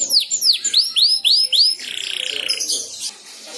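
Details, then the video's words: Young canary learning to sing, prompted by another canary's song: a series of loud, high descending swooping whistles repeated about four times a second, then a fast buzzy trill and scratchy high notes. "Suara Burung Kenari Belajar Ngeriwik, manjur mantap kena pancingan suara kenari lain"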